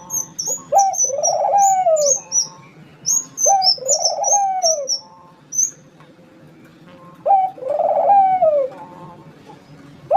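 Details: Barbary dove cooing energetically in three phrases, each a brief note followed by a drawn-out, throaty, descending roll. Sharp high chirps from another bird are scattered through the first half.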